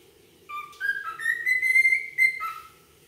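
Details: Whistled call of a wild cockatiel (Nymphicus hollandicus). Stepped notes rise into a sustained, slightly rising whistle that breaks off and ends on a lower note. Clean, bright and ringing, with no other sounds.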